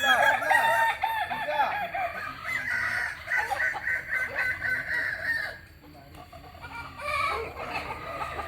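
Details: Kokok Balenggek roosters from Solok, West Sumatra, crow in rapid, evenly repeated stuttering syllables lasting several seconds, then pause briefly before crowing resumes more softly.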